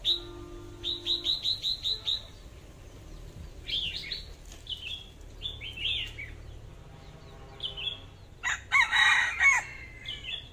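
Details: A red-whiskered bulbul decoy bird gives a quick run of about eight sharp, high notes, then bright, liquid warbled phrases, with a harsh, noisy burst near the end.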